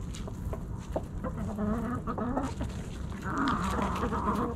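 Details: Hens in a backyard flock feeding on Thanksgiving snacks, keeping up a busy stream of overlapping clucks and murmurs that swell louder toward the end, with low rumbling noise throughout.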